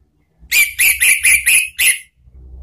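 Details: Orange-headed thrush song, ngeplong and ngeriwik styles, used as a lure for cage birds. Six loud, ringing, whistled notes are evenly spaced across about a second and a half, followed by a soft low hum.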